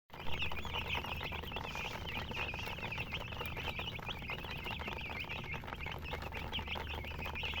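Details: Chicken chicks chirping as a group: a dense stream of high, short peeping notes overlapping continuously, with a steady low hum beneath.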